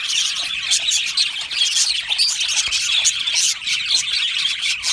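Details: Aviary flock of Australian budgies singing and chirping, a busy tangle of shrill chirps, chattering warbles and occasional squawky notes overlapping without a break.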